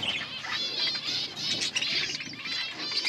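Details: Breeding pair of budgerigars, mating calls, August 16, 2024: short stretch of soft, blurred chattering warble with faint whistled notes, somewhat muffled and steady.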